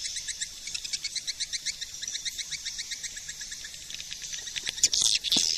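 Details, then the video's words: Swiftlet lure call, SP4 version from 2020: evenly spaced high chirps, about four per second, over a faint hiss, ending in a few louder shrill squeaks. "SUARA PANGGIL BURUNG WALET"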